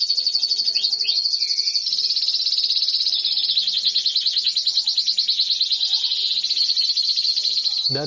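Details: Belgian canary (Serinus canaria domestica) sings an isian song, a long, high, continuous run of fast rolling trills and chirps imitating other bird species, ending abruptly with a short descending sweep.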